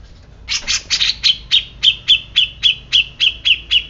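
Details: Grey-cheeked bulbul opening with a few harsh, buzzy notes, then a steady series of about ten ringing high chips, repeated almost four times per second.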